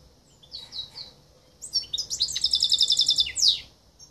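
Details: Silver goldfinch x canary mule, a hybrid shown in Greece in 2023, sings a bright high phrase: a few thin notes, then a fast rattling trill of evenly repeated chirps ending in a sweeping buzzy note.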